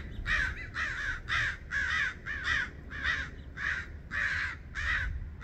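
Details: Mobbing crows harass a red-shouldered hawk, diving at her until she departs. Loud, raspy caws come in quick succession, roughly ten in five and a half seconds, each a short grating burst with a slight wavering quality.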